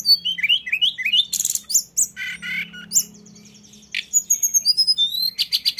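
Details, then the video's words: Lesser shortwing, known locally as mountain tledekan, singing its rolling 'ngeroll' style: fast high whistled phrases with rising slurred notes and buzzy bursts, a brief pause near four seconds, then thin trills resume. "dengar tledekan ngeroll ini"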